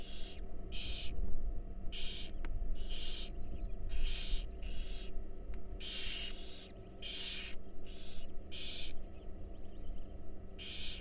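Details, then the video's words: Hungry wild barn owl babies in a nest box being fed, a long run of harsh hissing screeches repeated about every second, some overlapping, with a couple of sharp clicks and a constant low hum. "Barn Owl Babies Enjoy A Delicious Meal"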